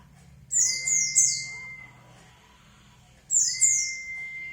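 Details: White-eye singing as a lure to prompt a reply: two sharp, high twittering phrases sliding downward, each joined to a level, sustained whistle, separated by a short pause.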